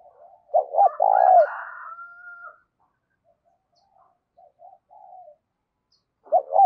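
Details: Lure spotted dove with a 'thổ cục đình' voice, calling wild doves. One full deep phrase of clipped notes and a long coo, a high thin whistle overlapping, faint twitters after, and the next phrase starting at the end.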